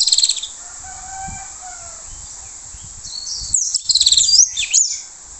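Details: Orange-headed thrush song played as a lure for other thrushes. It begins with a short rapid trill and soft lower whistles, then after a lull gives a loud burst of fast, high, varied chattering notes.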